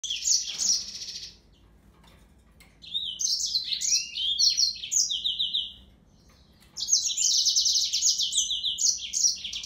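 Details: Yellow-fronted canary singing: a brief high trill, a pause, then two long bursts of bright, rapid warbled phrases mixing buzzy trills and quick slurred notes, high-pitched throughout, with faint low hum beneath.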